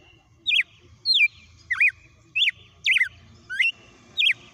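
A red-cowled cardinal sings a run of short, clear, swooping whistled notes, about two per second, bright and high, over a faint background hum.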